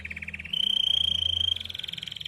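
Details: Belgian canary with red plumage sings a fast pulsed trill that flows into a long, steady, pure whistled note before breaking into another rapid rolling trill.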